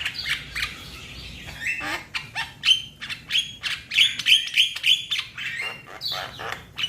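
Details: Young Javan myna calling to its companions: a rapid, uneven run of harsh squawks, clicks and short whistled notes, several bright whistles around the middle, roughly three notes a second, with faint low hum beneath.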